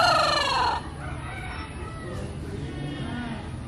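A rooster's loud, strained crow cuts off after under a second, followed by softer low clucking and faint rustling.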